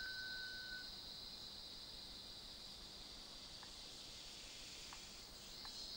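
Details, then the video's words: Rail-babbler at Krung Ching Waterfall: a long, thin, pure whistle held at one steady pitch for nearly a second, then silence. A constant high insect hiss runs underneath, with a few faint clicks later on. "Rail Babbler"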